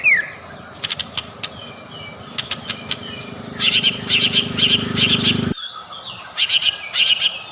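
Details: Lure song of a white-rumped shama meant to make other shamas sing: dry clicks, then clustered groups of sharp, high repeated notes, with a low hum that stops abruptly.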